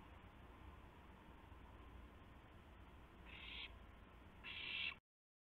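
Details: During a gopher delivery at 12:25 AM, April 7, 2016, an owl gives two breathy, hissing screeches about a second apart, the second louder, over low rumble before abrupt silence.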